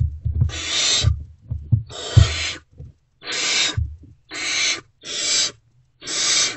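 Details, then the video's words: Great horned owl owlets that are still waiting for food react as an adult returns to the nest box before dawn, 3 March 2024. Six breathy rasping hisses are heard, with thumping and movement sounds early on. "Owlets Still Not Fed. React to Return of #GreatHornedOwl."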